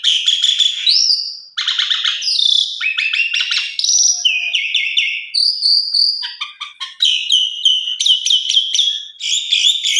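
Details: Asian pied starling singing a varied, full lure song meant to set other starlings singing: dense buzzy chatters, rising whistled slurs and rapid clicking trills flowing almost without pause, clean and loud.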